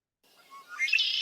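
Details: Male Red-winged Blackbird, a noisy marsh bird singing one of its four to eight song types: a few soft, low introductory notes lead into a loud, harsh, buzzy trill, cut off after about a second.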